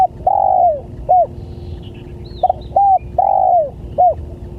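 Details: Spotted dove lure call meant to draw in other doves. Drawn-out coo sliding downward at the end, followed by clipped hooked notes, phrase given twice. Faint higher chirps of another bird and a constant low hum sit beneath.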